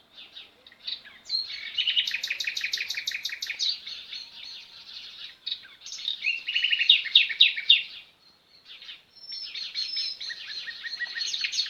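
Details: Sparrows twittering in nature: dense bursts of rapid high chirps and trills, several overlapping, with short pauses between bursts.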